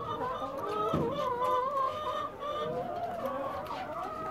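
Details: A free-range flock of six hundred egg-laying chickens on a ranch in Cuyama, California, produces a constant hum of overlapping nasal clucks and sustained, quavering notes. A brief louder low thump is heard near the start.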